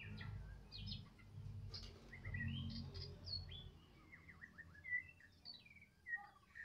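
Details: White-rumped shama from Medan singing in the afternoon: a string of varied clear whistles and quick slurred notes, some rising, some falling, over a low rumbling background.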